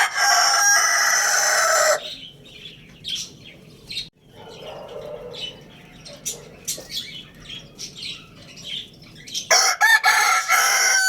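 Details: Lohmann Brown rooster at Lalukhet bird market: a loud, harsh crow ends in the first two seconds, followed by quieter scattered chirps and rustling from small birds, before another strong, raspy crow begins near the end.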